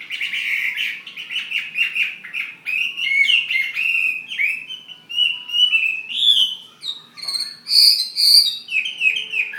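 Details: Fighting Chinese hwamei from Ha Giang, Vietnam, in a continuous, lively song of rapid slurred whistles and rolling phrases, ending with higher, sharper ringing notes; no other sounds stand out.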